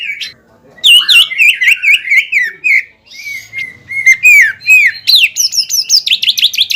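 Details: Greater green leafbird in full song, used to provoke a rival leafbird that has just finished moulting back into aggression; loud, varied whistled phrases with quick upward and downward slurs, a brief pause near three seconds, then rapid chattering notes.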